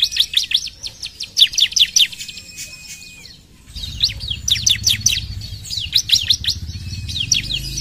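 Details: Bar-winged prinia (ciblek) singing: fast series of sharp, high, downward-swept chips in rapid bursts, a brief steady whistle near the third second, then more quick chattering phrases with a low background hum.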